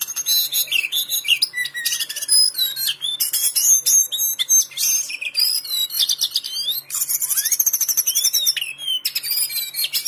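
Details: Caged lesser shortwing from a Pekanbaru bird collection, noted for sweet singing. Continuous fast, high warbling with slurred whistles, buzzy trills and sharp chips, broken by very short pauses.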